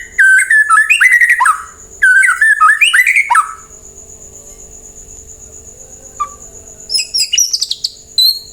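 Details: White-rumped shama song used as a lure for replies: two loud, similar bursts of fluty, warbled phrases, a long quiet stretch, then scattered high sharp notes.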